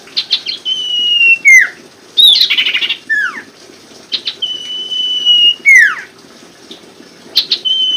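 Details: Common Iora song recorded as a lure to get silent or lazy birds singing: long, level, pure whistles, each ending in a sharp downward slur, with short clicky notes between them.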